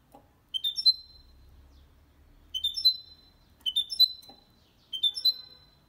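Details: Goldfinch × canary hybrid uttering short rising twittery note groups, four bursts spaced one to two seconds apart with quiet between, from a recording meant to stimulate males to sing and teach young birds.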